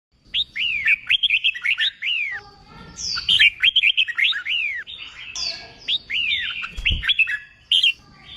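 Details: Newly caught red-whiskered bulbul being trained for singing contests, delivering three bursts of quick slurred whistled notes, each note swooping down then up, with short pauses between phrases and faint background rustle.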